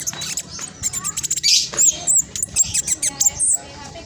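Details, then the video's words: Black sunbird of the spotted type singing rapidly in captivity, kept to coax other reluctant birds into song; sharp, piercing high chips and squeaky notes pour out in quick, closely packed bursts. "Blacksunbird trotol gacor prospex cocok buat pancingan burung macet malas bunyi"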